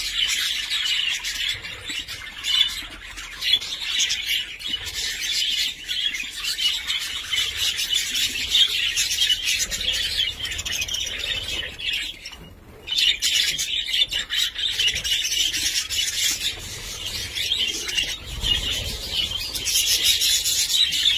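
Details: A breeding colony of rainbow budgerigars chattering nonstop, a dense wash of shrill chirps, warbles and squeaks.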